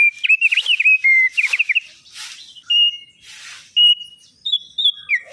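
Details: Energetic black-winged starling song: quick wavering whistled notes, short level whistles and several loud harsh noisy bursts separated by brief pauses.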